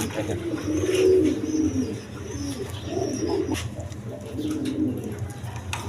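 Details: Indoor domestic pigeons of local and foreign coloured breeds cooing in soft, throaty, rolling phrases that rise and fall, several birds overlapping, with a constant low hum beneath.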